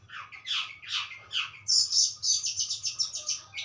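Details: Budgerigar warbling, starting with several rough descending slurs, then breaking into a rapid run of high, clicking, repeated notes, over a soft low background hum.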